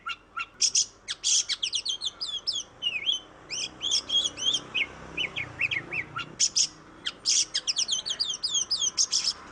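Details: Oriental magpie-robin in lively song used as a lure to start other birds singing: long stream of rapid chips, whistled slurs and harsh high bursts, scarcely pausing over nearly ten seconds.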